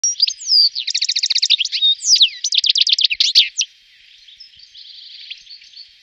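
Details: A European goldfinch in Wittlich, Germany, in 2018 gives bright, rapid tinkling trills and liquid twitters, high-pitched and fast, followed by a softer echoing phrase lasting about two seconds.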